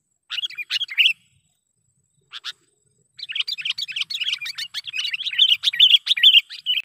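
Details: Lively sooty-headed bulbul calling meant to lure wild birds into a trap: brief chirp bursts separated by pauses, then a dense, continuous chatter of sharp twittering notes that swing up and down in pitch.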